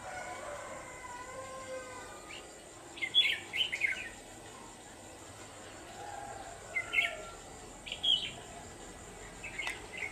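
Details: Red-whiskered bulbul decoy singing during a late-afternoon trapping session on 29 November 2018: loud bouncy warbled phrases in clusters, separated by pauses, with faint lower bird calls and a high steady hiss in the background.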